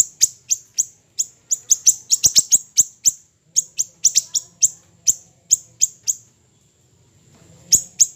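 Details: Small siri-siri bird, a recording used for training songbirds: fast runs of high, sharp chirps, some crowded together, then a long near-silent stretch before a final short burst.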